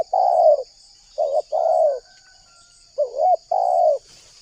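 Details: Lively spotted dove cooing, used to lure wild doves into traps: soft low coos in pairs, some with a dipping, warbled start, separated by short pauses. A faint, steady high whine runs behind.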